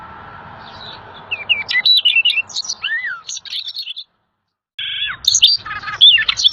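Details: Energetic song of the rare little fellow bird, a tutor recording for pet birds: varied high chirps, a downward-curving whistle, a short silence, then another burst of rapid twittering.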